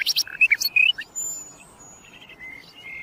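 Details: Common nightingale (sikatan londo) delivering a brief run of rapid chirps and upslurred whistles that fades into a thin, drawn-out whistled note, with soft background hiss.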